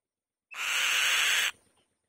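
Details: Single loud, grating one-second scream by a female white-tailed kite on the nest, opened by a short upslurred whistle and trailing off quietly.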